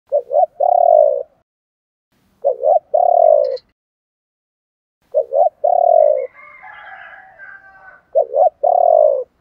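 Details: Spotted dove, male and female, cooing in the chieu ba hau style used to stimulate other doves to sing: four low phrases, each a quick double note followed by a long mellow coo, repeated about every 2.5 seconds, with a soft chattering between phrases.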